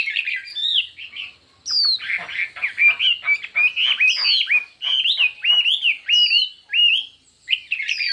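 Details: Chinese hwamei in a singing contest: energetic whistled phrases broken by short gaps, with clear falling slurs and rising notes in quick succession, varied and loud.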